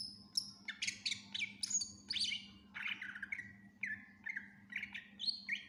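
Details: Energetic greater green leafbird (cucak ijo) song, a fast run of varied phrases: piercing high whistles, rasping downslurred notes and short chirps, repeated in quick bursts, with a faint low hum underneath.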